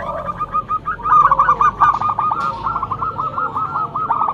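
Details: Loud song of a local zebra dove kept as a lure bird, a rapid string of short cooing notes at mid pitch, with a few lower coos underneath and faint background hiss.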